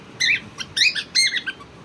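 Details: A pet cockatiel, interacting with its owners as they talk to it, gives three bright, squeaky chirps, each with a rising-then-falling twist, about half a second apart, with faint room hiss behind.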